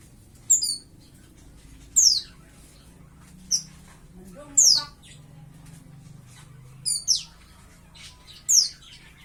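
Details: Young captive white-eye, about five to six months old and starting to learn to sing, gives short, high, sharply descending chirps spaced a second or two apart, over a low hum and a man's occasional quiet voice.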